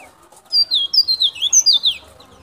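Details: White-breasted white-eye of a local Sulawesi type from Baubau, Buton, recorded as a lure for wild birds: a rapid run of about eight high, sliding whistled notes, each dropping in pitch, lasting about a second and a half.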